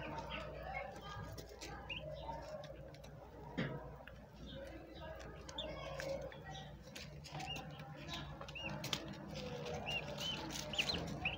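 Turkey poults give thin, high, rising peeps, scattered irregularly through the recording, over a steady background of rustling and shuffling noise.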